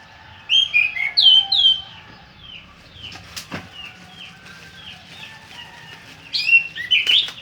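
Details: Orange-headed thrush singing: two bursts of loud, rich warbled phrases sliding between high notes, near the start and end, with softer falling whistles repeated steadily in the background.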